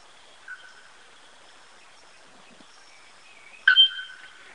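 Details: Araponga, the bare-throated bellbird: a single abrupt, bell-like metallic clang with a lingering ringing tail, after one soft faint note and a long quiet pause.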